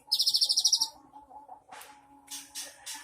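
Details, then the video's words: Cinereous tit, recorded 3 April 2023, opens with a quick dry high-pitched trill of around ten pulses, then a steady background hum and several short bursts of broadband rustling noise. "BURUNG GELATIK BATU ISIAN MEWAH"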